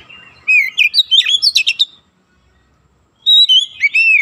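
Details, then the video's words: Oriental magpie-robin singing on a training recording intended to bring young birds to a rapid 'nembak rapat' style. A fast string of loud, varied whistles and sharp chips is followed by a pause, then more ringing slurred whistles. "TERAPI KACER BAHAN CEPAT NEMBAK RAPAT"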